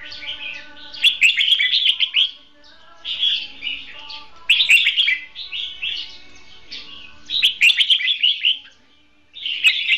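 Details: Red-whiskered bulbul kept in a cage as a trapping decoy, delivering competitive song: repeated short bursts of quick, bubbly warbled phrases, about five bouts in ten seconds, with brief silences between and a faint hum.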